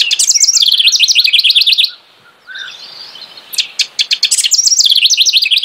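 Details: House wren song: a fast, bubbly series of repeated high chattering notes, a brief near-silent pause with a soft low note, then sharp clicks leading into another rapid, rolling burst.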